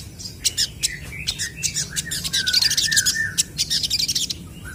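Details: Crested jays calling back and forth in energetic song: scattered sharp clicks and chips give way to a fast, dense rattle of high notes, with a few lower slurred whistles underneath.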